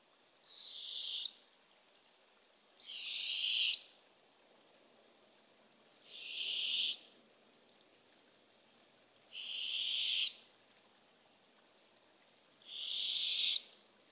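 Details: Barred owls at a nest box on an early April morning, 2024, as the female brings a baby opossum to two hungry owlets: five harsh, airy hissing screeches, each about a second long, repeated roughly every three seconds.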